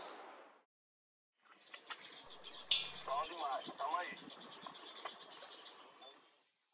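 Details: Bertoni's antbird singing while foraging on bamboo in Brazil: a short series of quick, raspy, buzzy chevron-shaped notes over a dense chorus of other birds and insect hiss.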